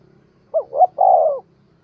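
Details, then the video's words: Spotted dove calling to attract wild doves; a single mellow phrase of two short rising coos and a longer sustained coo, with faint low background rumble. "chim cu gáy kích bổi gáy cả ngày"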